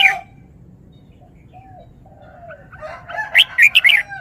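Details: Red-whiskered bulbul kept in a cage, showing off its song phrases: soft low whistles and quiet pauses, then a brisk closing burst of loud, bright, rippling whistled notes.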